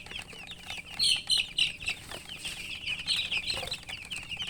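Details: Newly hatched chicken chicks peeping loudly: a dense chorus of short, high, overlapping chirps, several birds calling at once, with louder bursts of rapid peeps in the middle of the recording.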